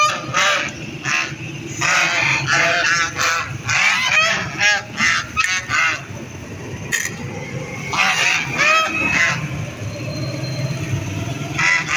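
Ducks giving harsh, nasal quacks in irregular bursts, several birds calling over one another, with a low background rumble throughout.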